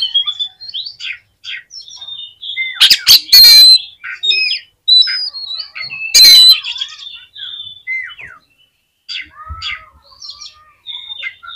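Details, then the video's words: Oriental magpie-robin, played to rouse other magpie-robins, sings scattered quieter whistles and chirps with two loud harsh rasping bursts standing out. "CUKUP DI PLAY 3 MENIT BIKIN KACER LANGSUNG EMOSI TINGGI !!! PASTI CEPAT ON"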